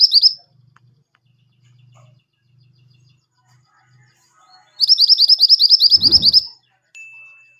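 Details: Pied triller singing, used as a tutor recording for caged birds: a brief chirp opening, then a long silence with faint low hum, followed by one fast series of repeated high, slurred chirps.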